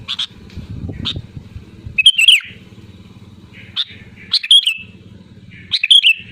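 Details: Sooty-headed bulbul calling loudly to rivals: short bright whistled phrases, each dipping and sliding down at the end, given about every two seconds over a low background hum.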